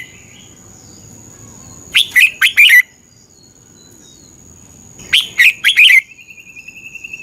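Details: Red-whiskered bulbul singing in Thailand, a recording played to train or excite caged birds: two bubbly phrases of four rapid whistled notes three seconds apart, then a thin, steady trill, over a constant faint high tone.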